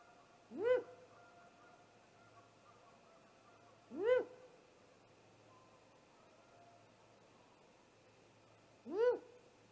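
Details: Great horned owl attack on a great gray owl at its nest, nest camera, 30 March 2018 just after midnight: three short, harsh, upswept screeches spaced several seconds apart over a quiet background.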